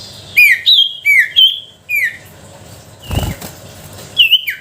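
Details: Sooty-headed bulbul song for coaxing silent bulbuls: separate bright, falling whistled notes, broken by a loud flutter or rustle near the end.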